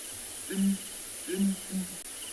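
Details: Male and female Southern Ground Hornbills, a breeding pair at Ngala, South Africa, booming in a December morning duet; three deep low booms, the last softer, against a faint insect background.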